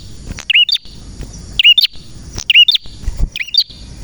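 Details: Male prenjak merah singing vigorously: four sharp, high chirped phrases, each a quick twisting whistle with a bright flick, spaced about a second apart, over faint low rumbling and crackle.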